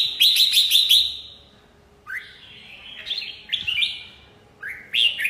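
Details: Red-whiskered bulbul song, opening with a loud, rapid chattering phrase, then quieter rising slurred whistles and a further burst of warbled notes after pauses.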